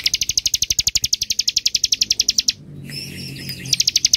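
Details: Bar-winged prinia in ngebren style, described as dense and long: a fast, even trill of sharp high ticking notes, about eight per second, briefly broken by a pause and a softer phrase before the trill resumes.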